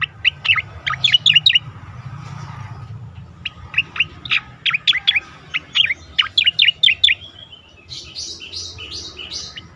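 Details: Asian pied starling song used to train competition birds: repeated bursts of sharp, high chirps and slurred whistles in rapid clusters, ending with a few buzzy, rasping notes.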